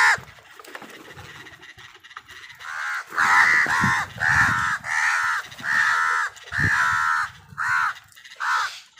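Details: Crows fighting other wild birds for food: a steady run of loud, hoarse, drawn-out caws repeated about every second, with low knocking and scuffling sounds underneath.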